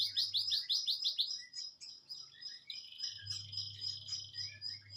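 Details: Canary song opening with a fast, high rolling trill for about a second, then thin sustained whistled notes and short chirps over a low steady electrical hum.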